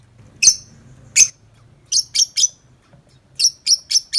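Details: Tame lovebird uncaged, 'ngetik' chattering: loud, sharp chirps, first singly, then in quick groups of three and four, over a faint low hum.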